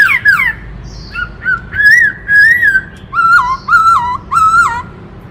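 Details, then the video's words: Black-throated laughingthrush singing a varied, many-voiced song: loud clear whistled phrases, some sliding downward, then steady fluting notes repeated in short bursts, with a quiet background. "Tiếng Chim Khướu Rừng Hót Đảo Nhiều Giọng Hay Kích Bổi - Khướu bạc má hót"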